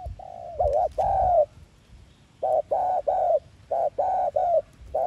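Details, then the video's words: Spotted dove kept as a lure for trapping and to rouse other doves, cooing in rapid runs of hollow mid-pitched notes, steady and close, with a brief pause between bursts and faint background rumble. "Tiếng Cu Gáy Mồi Chuẩn THÚC GÙ CỰC VÍP ÂM RẤT TỐT Kích Bổi Nhanh Nổi/Cu Đất Gáy Giọng Hạp Bổi"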